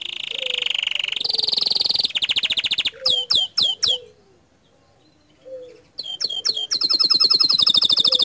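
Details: Energetic canary song with buzzy trills and rattles, a burst of steeply dropping whistled notes, a brief pause, then more drops leading into a fast, high, rolling trill.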